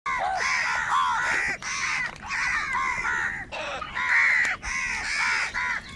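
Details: Large flock of wild crows fighting for food, a dense chorus of harsh, overlapping caws rising and falling in quick bursts with only brief pauses.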